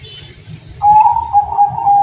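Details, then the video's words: Bangkok-type zebra dove singing: a loud sustained cooing tone with small wavering breaks, entering sharply partway through and holding steady to the end, above low rumbling background noise. "Perkutut Bangkok Gacor Terasan Suara Syahdu"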